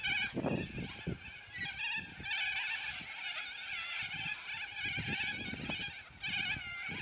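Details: A noisy flock of yellow-crested cockatoos giving loud squawks: dense, harsh, overlapping screeching with wavering tones that runs without pause, plus scattered low thumps and rumbles underneath.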